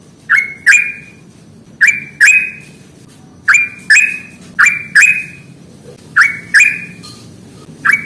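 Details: Fighting-style ngalas song of a yellow-vented bulbul, played to stimulate reluctant birds to sing: brisk two-note phrases of crisp whistled notes with abrupt onsets, repeated steadily about every one and a half seconds.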